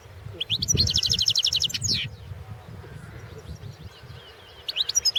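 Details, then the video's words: Competition song of a European goldfinch, recorded for the 2016 World Championship in Goldfinch Song: a fast, even, high trill of repeated notes lasting over a second, ending in a downslurred flourish, with a fresh burst of twittering at the end. "World championship in Goldfinch Song 2016"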